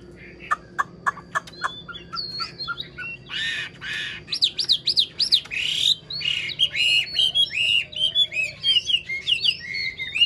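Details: Caged wild-caught old Chinese hwamei singing: a few short clicks, then harsh buzzy notes giving way to a fast run of varied, bouncing whistled notes.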